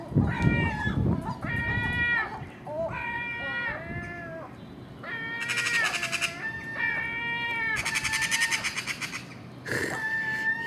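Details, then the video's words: ['Noisy early-morning feeding at garbage outside a house: repeated mewing common gull calls with a rattling, rapid chatter twice in the background, as a magpie and a crow join the gulls.'] "Common Gull Magpie and Crow making noise at early morning"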